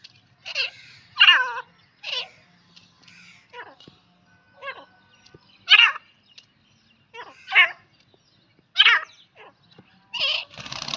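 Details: Calls of a female grey francolin: loud, harsh notes that slide downward, given in spaced bursts roughly every second, with faint low hum and scattered clicks between them.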